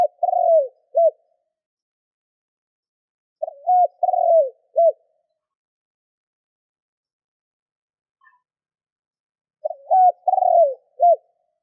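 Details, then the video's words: Spotted dove used as a decoy, cooing to stir up wild doves: three low four-note phrases, a short note, a level hoot, a long falling burry coo and a brief arched note, spaced by long silences. "Tiếng cu gáy mồi thúc gù kích bổi Hiệu quả"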